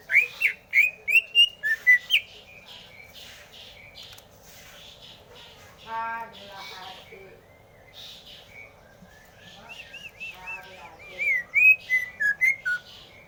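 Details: Greater green leafbird song: bright, fast whistled phrases with rising and falling slurs open the passage. A quieter stretch with a low buzzy note follows, then another burst of looping whistles.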